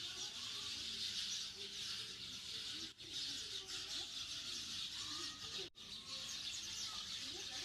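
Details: In a home yard planted with dense trees, a crowd of sparrows keeps up a dense, unbroken chatter of high, overlapping chirps and cheeps, with only two brief gaps.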